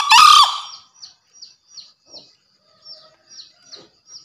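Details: Javan green junglefowl on a master recording used for training freshly caught birds and luring in the forest: one loud, harsh, strained crow, followed by soft, high chirps repeated about every half second.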